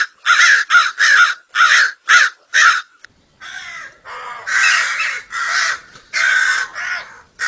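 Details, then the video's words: Crow calling to draw crows in for food: a rapid burst of six short, harsh caws, a brief gap, then softer rising caws leading into several loud, longer raspy caws. "Crow sounds / Crow call to Attract Crows for food / Crow Sound effects"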